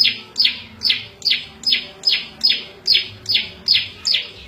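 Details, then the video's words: A prenjak lumut prinia delivers an even, repeated series of rasping notes that fall in pitch, about ten in four and a half seconds. The song is used for training cage birds and luring wild birds. "Suara Variasi prenjak lumut cocok buat masteran&pikat burung liar"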